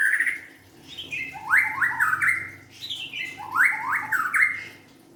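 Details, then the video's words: White-rumped shama repeating a similar phrase twice: a falling whistle, then a cluster of sharply rising slurred notes, with about two seconds between phrases. "kicauan murai batu"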